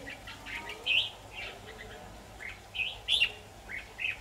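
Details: Red-whiskered bulbul song during a trapping session with a decoy bird, recorded 23 October 2019: separate short chirpy warbled phrases spaced about half a second to a second apart, over a low steady background.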